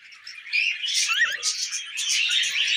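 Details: Tame budgies at millet, an intensifying chatter of buzzy warbles and a clear twisting whistled note, several birds calling together.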